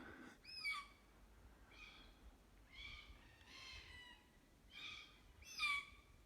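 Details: Juvenile red-tailed black cockatoos, still in adults' care, in Jarrah Forest near Jarrahdale give six thin, arched, raspy screeches about a second apart, soft and high-pitched as their voices aren't strong yet, over quiet background hiss.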